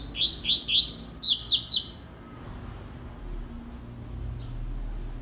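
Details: Rusty-collared seedeater kept by a bird keeper, singing a quick run of about eight high, sweeping whistled notes over nearly two seconds, then falling quiet apart from a few faint chirps.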